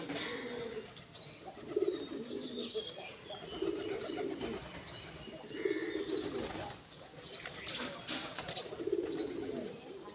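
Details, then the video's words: Birmingham Roller pigeons, a flock just arrived on a terrace garden to be fed: low soft coos repeat every two seconds or so, with wing flaps and faint higher chirps over a steady outdoor background. "Beautiful Bermingham Roller Pigeons flight has arrived on terrace garden"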